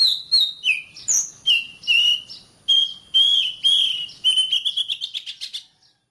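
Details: Oriental magpie-robin singing, a recording meant to coach caged birds to sing often: clear whistled notes in separate phrases, some sliding down, ending in a fast accelerating run of high ticking notes.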